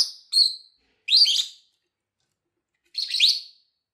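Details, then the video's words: A lovebird's calls, meant for teaching other lovebirds: a short whistled note, then two longer harsh, buzzy chirp bursts about two seconds apart, with silence between. "CANTO E PIADOS DE AGAPORNIS Para ENSINAR"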